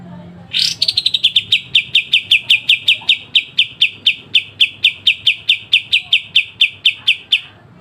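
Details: Pied triller, a caged songbird used for training other birds, singing a sharp, clear song: one loud rising burst, then a long even series of about 28 crisp high notes, roughly four per second, with a quiet background.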